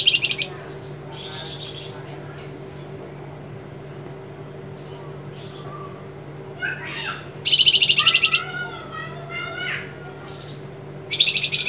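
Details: White-rumped shama master song in the sharp 'besetan' and trembling 'geter' style. Scattered chirps open a long quiet stretch, then a loud pulsed trill and sliding whistles follow, with another buzzy burst at the end over a constant low hum.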